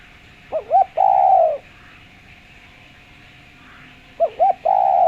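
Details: Clear-voiced spotted dove used as a lure, a phrase of two quick wavering notes followed by a long, level coo, repeated after about three seconds of silence.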